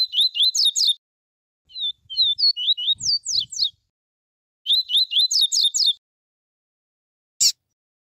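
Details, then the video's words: A pure tuí tuí double-collared seedeater sings fast bursts of sharp, high twittering notes with quick rising and falling slurs, in three phrases of about a second each, ending with a click. "Coleiro tuí tuí puro vs Papa capim viviti tel tel"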